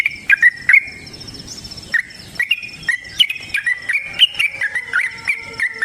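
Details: Yellow-vented bulbul in a long fighting song: a warbled run of liquid, rising and falling notes that gets faster toward the end. A steady cricket-like trill continues in the background.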